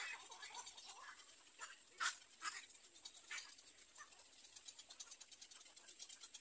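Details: Little egret chicks at their nest, waiting for their mother: harsh, scratchy calls in scattered bursts, one louder squawk near the middle, over a steady high hiss.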